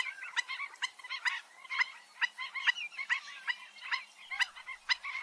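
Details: Black-winged stilt, known locally as gagang bayam empang or burung anjing-anjingan, giving nasal, yelping notes with bright harmonics. The notes come in uneven, overlapping bursts of about two per second, as if several birds are calling.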